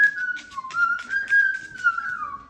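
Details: Pet cockatoo indoors producing a steady whistled tune of held notes that dip, rise and slowly fall, with soft background sounds.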